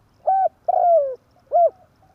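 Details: Spotted dove giving a tarik akar style lure call for trapping birds: a short level coo, a longer coo sliding downward, then a short arched coo, in a quiet setting.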